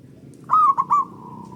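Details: Zebra dove, local type, singing as a lure to set other doves singing: one loud phrase of three quick bubbly coo notes, followed by a soft drawn-out coo in the background.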